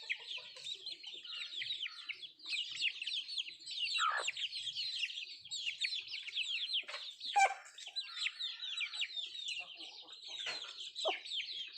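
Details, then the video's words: Country chickens eating, with a clear, constant series of thin, downslurred peeps repeated quickly and a few sharper pecks and clicks. "Nattu kozhi Food eating and sound effect"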